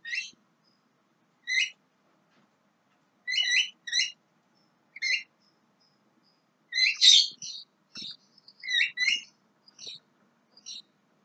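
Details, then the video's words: Young Javan myna singing spaced, varied whistled notes and short chatters, some paired, with one louder harsh burst near the middle, over a quiet background. "JALAK KEBO MUDA"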